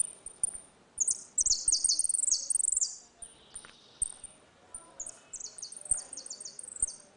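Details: Saffron finch in a song dispute, retinido style used for tutoring young birds: fast runs of very high, bright, downward-sweeping notes in dense bursts, a softer buzzy note midway, then more ringing phrases.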